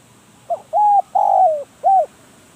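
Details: Single phrase from a spotted dove kept as a decoy for trapping wild doves. It is a soft lead-in note followed by three low coos, the middle one longest and sliding down at its end, over quiet background.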